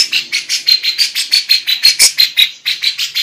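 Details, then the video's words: Female lovebird in full song with kapas tembak and cucak jenggot phrases, rattling out high, rasping notes about three a second, some ending in sharp whistled flicks, with a brief slower stretch midway. "love bird betina Cengkok kapas tembak, cucak...gacor"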